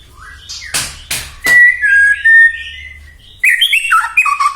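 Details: Singing white-rumped shama used as a lure for other shamas: a few snapping clicks, a long level whistle easing downward, then a lively burst of stepped, fluty warbling.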